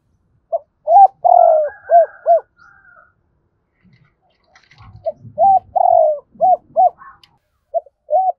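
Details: Captive spotted dove used as a decoy, calling in the morning in the 'hai hậu đôi' cooing style: two phrases of low, hollow coos, each a long drawn note followed by short, evenly spaced notes. Quieter chatter sounds between the phrases.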